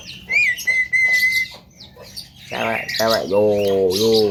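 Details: Mimicking Javan myna, known for copying frog, duck, coughing and human phrases: a long, level, high whistle, a pause, then loud nasal, voice-like wavering phrases with a dipping pitch.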